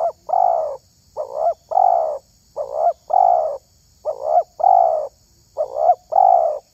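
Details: Spotted dove (terkukur) prized for its voice in the hobby of luring wild doves; soft mellow coos in paired phrases, a short wavering note then a longer rounded one, five pairs repeated about every 1.3 seconds over a faint steady hiss.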